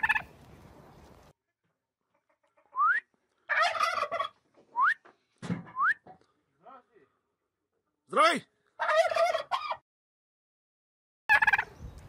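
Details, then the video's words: A farm turkey gobbles in rapid, rattling bursts, three or four in twelve seconds, with short rising whistled yelps between them. "gerçek hindi sesi"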